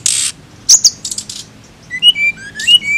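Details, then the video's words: Flycatcher song: a loud high buzzy burst, a sharp upward chip, a few rasping notes, then clear whistled slurs falling and rising, each under half a second, over a quiet background. "TLEDEKAN AUTO BUNYI DENGAR INI"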